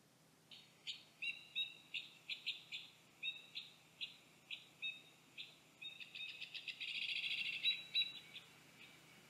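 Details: White-winged (two-barred) crossbill (Loxia leucoptera) in the wild, calling with a run of dry, high chip notes, about three a second, that merge into a quick buzzy trill near the end.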